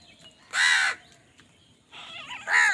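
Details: Crows fighting over food call with harsh, nasal caws. One long caw is followed after a pause by a rougher, rising caw that runs straight into another loud one.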